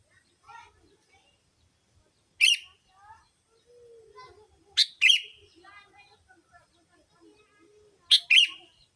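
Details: Sooty-headed bulbul lure call used to attract bulbuls: harsh, buzzy double bursts repeated about every three seconds, with faint twittering and soft whistled notes from other birds between them.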